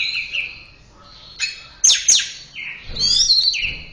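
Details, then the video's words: Orange-headed thrush training-recording song, a mix of sliding whistles, sharp descending sweeps and high fluttering notes delivered in quick bursts. "Masteran Suara Burung Anis Merah"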